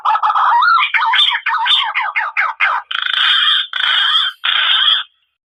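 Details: Thick-billed green pigeon call played as a trapping lure: a quick run of wavering, whistled notes that rise and fall, followed by three long, harsh, buzzy notes separated by short silent gaps, with no other sounds in the background.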